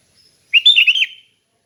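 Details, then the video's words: A single loud, fluty warbled phrase from a sooty-headed bulbul singing in a calm ngeplong style, used for training other bulbuls. The phrase rolls through several linked notes in under a second. "Kicau Kutilang Ngeplong Santai"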